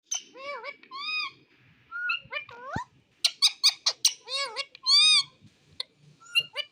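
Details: Indian ringneck parrot, a pet talking in a foreign language: a rapid run of harmonic, speech-like syllables with bending and rising tones, quick clicks and squeaky notes, all close and clear indoors.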